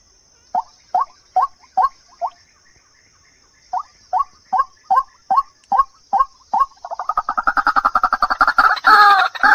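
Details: Used as a lure to bring birds in, white-breasted waterhen croaks come as evenly spaced short notes, a pause, another run, then a fast, loud harsh chattering chorus at the end.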